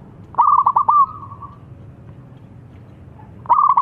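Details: Zebra dove song that makes rival doves respond: a rapid trilled burst of whistles trailing into a long fading tone, then silence before a second burst begins.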